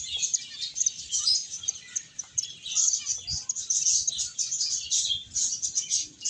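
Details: Many finches chirp together as they play and eat, a bright, continuous high twittering made of quick overlapping tweets with faint low thumps underneath.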